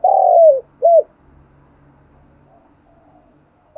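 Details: Decoy spotted dove calling its flock in the morning gives one drawn-out, slightly falling coo followed by a short arched coo, then a stretch of faint low hum and a click at the end.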